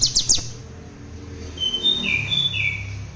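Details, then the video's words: Mutant spotted ('trotol') common tailorbird learning the 'ngebren' singing style, used as a tutor for other birds: a quick run of high chirps at the start, then thin, level whistled notes and a sharp high whistle at the end. "cigun trotol mutasi. belajar ngebren. cocok buat masteran burung lain."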